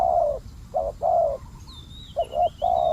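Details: Decoy spotted dove kept to lure wild doves. It coos steadily in low, mellow phrases: a long coo, a short double note and another long coo, then the pattern repeats. A high thin whistle from another bird runs faintly in the background.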